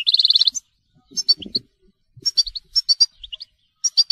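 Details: Telqam song of a European goldfinch starting with a rapid, regular high trill, then scattered clusters of crisp chirps and short upslurred notes, with faint rustling.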